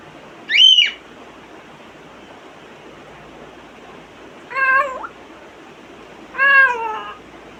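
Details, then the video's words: A pet African grey parrot mimics sounds: a sharp, high rising-and-falling whistle, then two drawn-out, cat-like meows a couple of seconds apart, over a steady background hiss. "My Smart African Gray makes 23 sounds"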